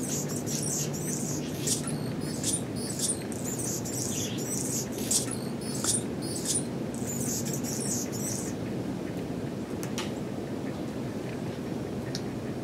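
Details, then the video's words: Anna's hummingbird, a purple-throated male hanging around a porch in the Pacific Northwest, 2017, sings a long string of thin, scratchy, high squeaks and ticks for about eight seconds, then falls quiet against a steady low noise bed. "Anna's Hummingbird song"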